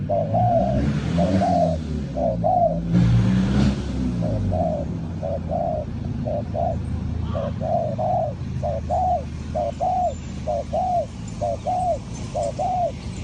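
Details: Spotted dove from Ninh Thuận, recorded during bird trapping, uttering short rising-falling coos about once a second beneath loud engine-like rumbling and broadband noise, which is strongest early on.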